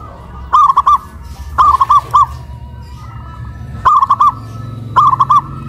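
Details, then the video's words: Caged local zebra dove raised on a pole in Kuningan, West Java, cooing loudly. Four short, ringing phrases of three or four quick notes each, spaced about a second apart over a soft background hum. "PERKUTUT LOKAL SUARA BESAR VS SUARA KRISTAL"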